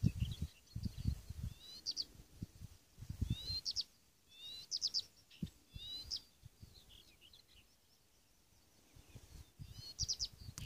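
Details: At Svensksundsviken, Sweden, 27 June 2015, a Blyth's reed warbler gives separated phrases of sharp, high chirps and short slurred whistles every two seconds or so, with quiet pauses and some low wind noise.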